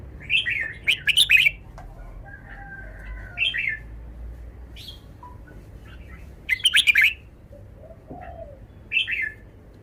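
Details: A caged red-whiskered bulbul performs its song phrasing: repeated bursts of bubbly, whistled notes, each a quick two- or three-part phrase, with short pauses between bursts and a faint low hum behind.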